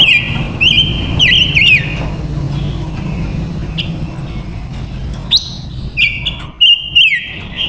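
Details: Silver-eared mesia, a female decoy bird, singing to lure wild males: clear whistled notes near one pitch with quick buzzy inflections, bunched early, then scattered sharp phrases later over a low rumble of background noise.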